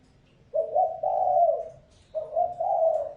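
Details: Spotted dove lure call meant to provoke wild doves: two mellow, low-pitched phrases a second and a half apart. Each opens with a brief note and swells into a sustained rolling coo; the background is otherwise quiet.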